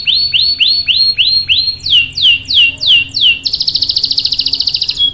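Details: Canary lure song: rounded upswept whistles in a row, then sharper downslurred notes, then a fast, high, buzzy trill that holds to the end.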